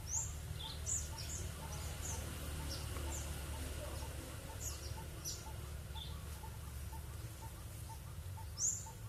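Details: Small wild birds calling back and forth in a forest, with scattered high thin chirps and short whistled notes over a steady low rumble of background noise and a faint evenly repeated mid-pitched tick.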